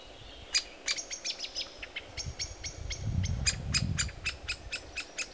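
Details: A young great spotted woodpecker at its nest site shortly before fledging gives sharp, high, clipped calls in uneven bursts, about three or four a second, over a low rumble of background noise.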